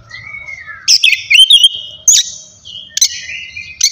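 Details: Oriental magpie-robin song, ngeplong style, played to provoke rival kacer: a soft drawn-out whistle opens, then three sharp, bright bursts of high whistles and chips spaced about a second apart.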